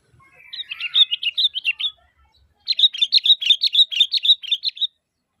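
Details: Calling sooty-headed bulbul meant to provoke other bulbuls to respond, giving two long runs of quick, lively repeated chirps, each lasting about two seconds, with a brief silence between them.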